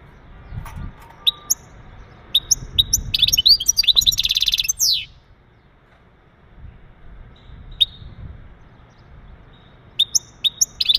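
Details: Male European goldfinch mating calls, sung to prepare a female for breeding: scattered single high chirps, a dense twittering phrase with a buzzy trill, quiet, then more isolated sharp call notes.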